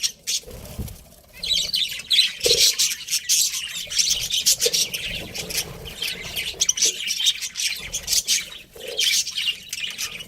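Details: Pet budgie breeding pair keeping up a continuous scratchy warble of high chirps and squawks, with a few lower clicks and knocks underneath.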